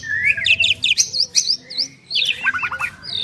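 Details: Two Asian pied starlings singing a duet: rapid series of bright whistled and chirping notes, some in quick repeated trills, others slurred up and down, with harsher buzzy bursts between phrases.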